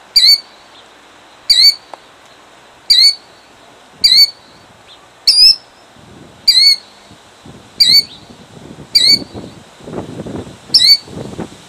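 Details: Killdeer defending her eggs in Jackson, New Jersey, 2008, calls nine times in steady succession, sharp high slurred cries about every 1.3 seconds, with rustling handling noise near the end.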